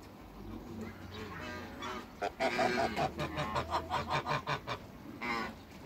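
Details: Three African geese meeting others on a farm: a rapid run of short, clipped nasal honks repeated nearly three times a second, then a longer honk, over a low hum and steady hiss.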